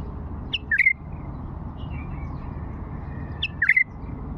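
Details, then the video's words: Repeated phrase of an old Fawi-type bulbul: two matching bursts of sweet, slurred whistles about three seconds apart, each a quick up-and-down flourish, with faint softer notes between and a low background hum. "اجمل لغات بلبل فاوي قديم"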